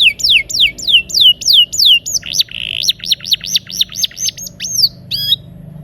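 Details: Energetic canary singing in rolls, meant to coax non-singing canaries into voice: a series of high falling whistles, a short buzzy note, then quick repeated slurred notes and a final upswept call.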